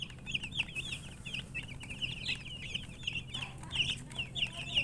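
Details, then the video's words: Several chicks cheep continuously, their thin, high piping notes tumbling over one another in quick succession above a steady low rumble. "Baby "Chicks Chirping" Sound"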